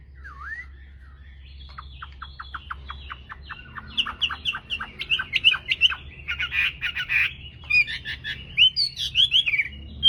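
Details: Competitive dawn singing from a tame Chinese hwamei: one low swooping whistle, then a rapid string of short clipped notes that builds into louder, mixed whistled and rasping phrases.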